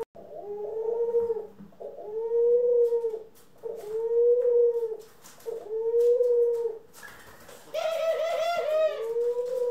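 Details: From pet doves (ringneck, Senegal and hybrids) on April 25, 2021, a run of five even, hollow coos repeats about every one and a half seconds, then a harsher, rolling, laughing call breaks in near the end.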